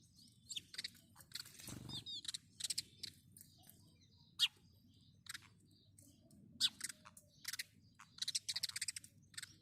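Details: Chirping of house sparrows: sharp, high chirps in clustered bursts at an irregular pace, louder groups near the end, over a soft low background hum.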